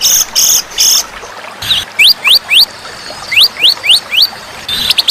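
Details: White-rumped shama tutor recording for competition birds, mixed with fighter birds: buzzy high notes open, then clear rising whistled sweeps repeated in quick runs of three or four, separated by short pauses.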